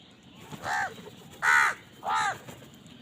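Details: House crow calling while eating, fighting over food; three harsh, arched caws spaced about seven tenths of a second apart, the middle one loudest, over a quiet background hiss.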